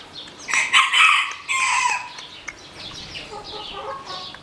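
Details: Black Orpington chickens: a loud, harsh, harmonic crow in two drawn-out bursts over about a second and a half, followed by softer, fainter high chirping and clucking in the background.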